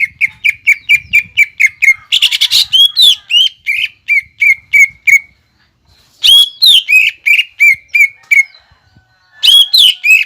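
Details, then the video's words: Greater green leafbird song of the 'nembak ngekek' kind for luring young birds: long strings of evenly repeated high whistled notes, several per second, broken by a harsh burst and short silences. "PANCINGAN CUCAK IJO GACOR NEMBAK NGEKEK BIKIN CEPAT MASUK BUAT CUCAK IJO KUNINGAN"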